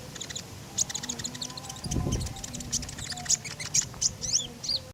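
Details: Common iora song used as a lure for other birds: rapid high chipping notes and quick rising and falling whistles, with a low rumbling background noise.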